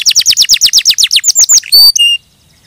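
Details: Canary giving a rapid run of falling whistled notes, ending in a brief pure whistle before silence.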